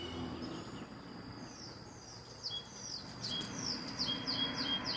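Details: Mockingbirds singing in the morning from a balcony: a series of high, thin, downslurred whistled notes repeated rapidly, roughly three per second, over a low background hum.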